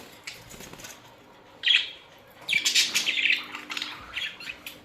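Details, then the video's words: Australian budgerigars in a colony, kept birds: scratchy chirping bursts in two main bouts, with a hum underneath and a soft flutter of wings. "My beautiful Australian budgies parrots colony"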